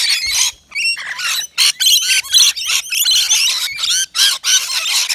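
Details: Rainbow lorikeets at a balcony nectar feeder; loud, grating screech bursts of under a second each, separated by short silences, some with a falling wobble in pitch.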